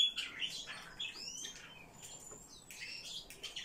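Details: Eurasian blue tit giving quick high twittering calls, thin curved whistles and short buzzy chirps in irregular bursts, fading to quieter notes then picking up again at the end.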